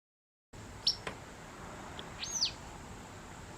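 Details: White wagtails in autumn at a garden where fierce territorial disputes take place: two short, high, thin chirps, one brief and one arched, over quiet background hiss.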